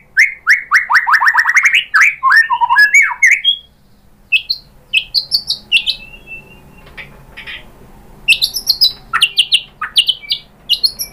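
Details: Shama lure song to provoke rival singing: a rapid rattling burst of descending notes opens, followed by scattered high chips, squeaks and whistled notes with short silent gaps between.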